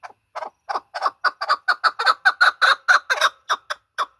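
A chukar gives a rapid run of about eighteen hoarse, clucking 'chuck' notes that speed up and grow louder before easing off, with nothing else heard.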